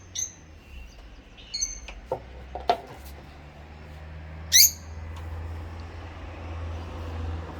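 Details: Two rosy-faced lovebirds singing and chirping: a few sharp, high squeaky chirps in short bursts, with a louder shrill note near the end over a low indoor hum.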